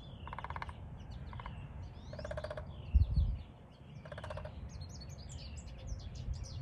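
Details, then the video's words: A female Downy Woodpecker, seemingly testing for the loudest place to drum, drums in short, rapid bursts of taps, four brief rolls spaced irregularly, with high chirps from other birds and a low thump. "Female Downy Woodpecker trying to figure out the loudest place to drum on"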